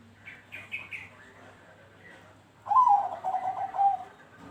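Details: Bangkok-type zebra dove song used as a lure to set other doves singing: thin high chirps from other birds, then a rolling, trilled coo phrase lasting over a second, with a steady low hum behind.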